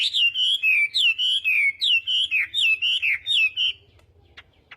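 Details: Chinese hwamei practising its morning fighting song, repeating a loud slurred whistle that drops then levels, roughly four times a second, before falling quiet apart from a few faint clicks.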